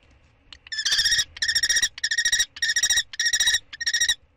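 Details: A common kestrel during prey handovers at the nest, 2 May 2013, gives six shrill bursts of rapid, harsh 'kee-kee' notes, each about half a second long.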